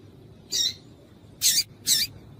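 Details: Female double-collared seedeater calling, a call meant to make males sing: three short, high, scratchy chirps, the first alone and the last two close together, over a low steady background hum.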